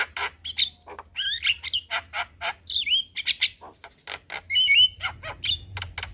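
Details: Black-winged starling singing in the evening as a training song for young birds: dry rattling notes alternating with loud slurred whistles and squeaky upward-bending phrases.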